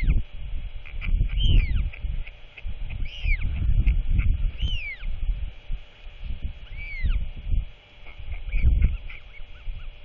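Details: During a dusk feeding by its father on 27 March 2024, a royal albatross chick makes a run of rising-and-falling whistled squeals, several in quick succession, then fainter ones, against loud gusting wind.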